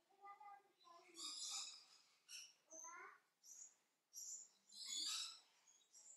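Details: A captive chestnut-backed scimitar babbler at Weltvogelpark Walsrode gives a run of harsh, chattering bursts with bright high notes, about one burst each second, with a few lower nasal notes mixed in.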